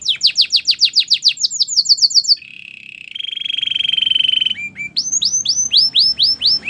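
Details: Belgian canary singing: a quick series of sharp descending chirps, then a long buzzy trill, then a rolling loop of repeated rising notes.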